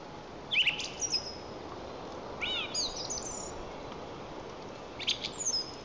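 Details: In Lower Kama National Park, Tatarstan, on April 11, 2024, a song thrush sings: loud, sharp, high notes, then a rising whistled phrase and a further clipped burst, each separated by brief pauses, against background hiss.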